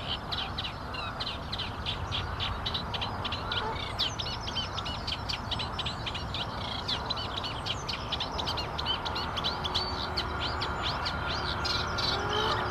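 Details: Reed warbler singing: a continuous chattering stream of short scratchy, repeated notes, rapid and rhythmic, over steady low rumbling background noise.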